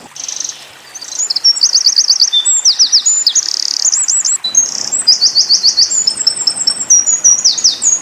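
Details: Eurasian wren song, tembakan style, used to tutor pleci: after a brief note and a pause, a long, loud, breathless outpouring of high metallic trills, chips and fast rattles runs to the end.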